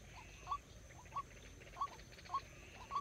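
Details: Decoy white-breasted waterhen being trained for trapping, calling a short hollow note roughly every half second, evenly paced, against a low background hum.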